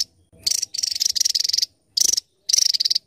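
Javan tesia giving a high, sharp, rapid twittering song in short bursts of quick ticking notes, with brief pauses between phrases.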